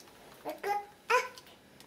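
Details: Pet grey parrot (Gabon parrot) at breakfast indoors, making three short, squeaky, whimpering calls, the last one louder and slightly rising, with quiet room noise between.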